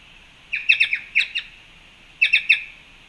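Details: Black-chested jays at a fruit feeder in Panama, 2 March 2021, give harsh, ringing calls: a quick run of about five clipped notes, a pause, then three more, over faint hiss; Black-chested jay call.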